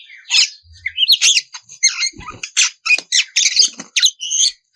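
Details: Female oriental magpie-robin in breeding condition calling a male: varied high squeaky and buzzy phrases, with a brief rising whistle early on, delivered in quick bursts with scattered soft clicks underneath.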